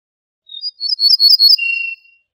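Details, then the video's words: Ortolan bunting (Moroccan al-bouh al-fassi) delivering a clear song: an opening squeak, a cluster of bright high notes, then a drawn-out lower whistled note. Quiet otherwise. "شريط تغريد طائر البوح الفاسى"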